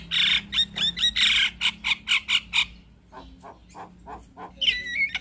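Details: Javan myna chatter, used as a master recording for other birds: loud harsh rasping pulses repeated about twice a second, then softer clicks and a final wavering whistle.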